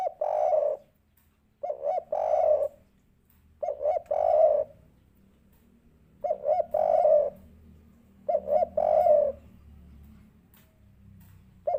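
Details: Spotted dove giving the three-part kuk 3 lure call meant to get a quick answer. Phrases of two short coos and a longer rolling coo repeat about every two and a half seconds over low hum.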